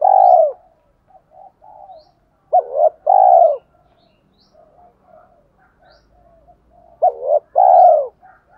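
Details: 'Thổ pha đồng' style cooing of a spotted dove, used to prompt decoy birds to coo quickly. A long coo first, then two repeated phrases of a brisk double note plus a drawn coo, with quiet soft notes in between.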